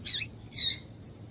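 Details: Female double-collared seedeater calling to stir a male into singing: two quick, high, slurred chirps, the second slightly louder, over a faint low hum.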